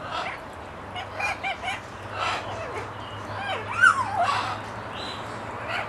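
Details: Talkative parrot chattering in a varied string of squawks, slurred whistles and a rising-then-falling whistled sweep, with quieter clucking notes between and a faint background hum.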